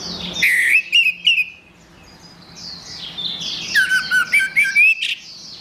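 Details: Gacor orange-headed thrush tutor song: harsh squawky notes and rising whistles at the start, a quieter gap of soft twittering, then a loud sequence of buzzy slurred and rising notes, with a low hum beneath.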